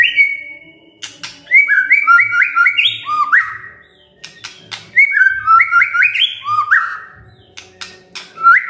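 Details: Two matching bursts of white-rumped shama song, kretekan and tembakan style with many fill-in phrases: dry clicks leading into a quick cascade of stepped, slurred whistles, over a faint low hum.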